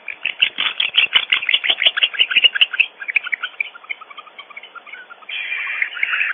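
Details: Barn owls cleaking at their nest cavity on Audubon Starr Ranch, California, as an intruder appears: dense overlapping high squeaky notes from several owls, thinning into scattered calls, then a raspy hiss-like sound.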